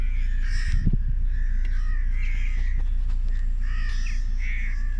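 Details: Hundreds of crows in a flock in the Mendips, England, a dense chorus of overlapping harsh caws over loud, steady wind rumble.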